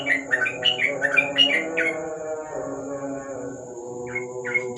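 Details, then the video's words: Short burst of rapid 'ropel' song from a yellow-vented bulbul at night under a lamp: quick whistled notes for two seconds, a pause filled with low droning tones, then two more whistles. "Burung trucuk,An ropel malam hari dibawah lampu"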